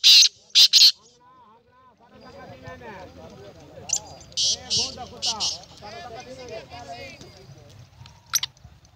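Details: Black francolin (kala teetar) on 19 April 2020, opening with two loud rasping notes, then a grouped series of four harsh notes midway and a final short one, over steady background music.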